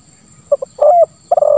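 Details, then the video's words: Spotted dove in the 'lambung kuk 1 suara ngeruk' song style, used as a lure for trapping doves: two short clipped notes, then a long, level, throaty coo, then a rapid stuttered note run leading into another coo. "Suara Tekukur Terbaru ll Lambung Kuk 1 Suara Ngeruk"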